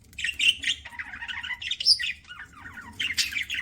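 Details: Chatter of pet budgies while they eat: rapid overlapping chirps and raspy warbled notes, rising and falling, with short bright squeaks among them.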